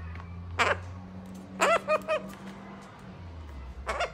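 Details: A pet Gang-gang cockatoo (Callocephalon fimbriatum) gives harsh, creaky, rasping calls: a single one, then a quick run of three, then another, over a steady low hum.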